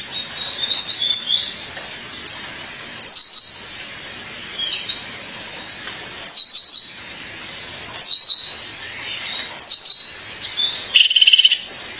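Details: Calling to her mate, a female Violaceous euphonia gives short bursts of two or three piercing, very high, downslurred chips roughly every three seconds, ending with a brief buzzy trill.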